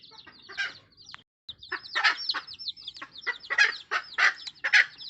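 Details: Wild junglefowl mother calling her chicks: rapid, loud, rough clucks in uneven bursts after a short pause, accompanied by constant high, sliding chick peeps.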